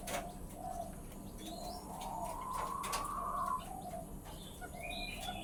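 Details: Male button quail giving a drawn-out, humming call that rises slightly over about a second and a half, with faint high chirps from other birds above it and a steady low hum behind.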